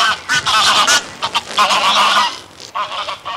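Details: Greylag geese calling in flight from a small flock at close range: loud, overlapping braying honks in quick bursts, a brief pause near two and a half seconds, then further honks, with wingbeats audible.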